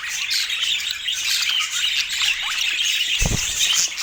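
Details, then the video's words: Dense budgerigar chatter of bright chirps and scratchy warbles, broken by one dull low thump toward the end. "Dieser Sound macht Wellensittich Vogel verrückt"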